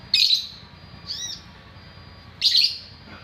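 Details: White-rumped shama with a loud, grating burst, then a brief arched whistle and another harsh rasping burst, all high-pitched and close.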